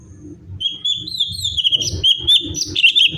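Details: Cucak cungkok bulbul singing an active, variable song for a tutor recording; a long wavering whistle broken into fluttering, slurred notes over a steady low rumble.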